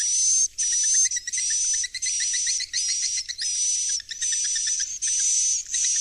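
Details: Swiftlet roosting sound meant to draw young swiftlets into a bird house to stay: long bursts of high hissing twitter with a steady whistled tone, underlaid by rows of quick clicking chirps, broken by short gaps.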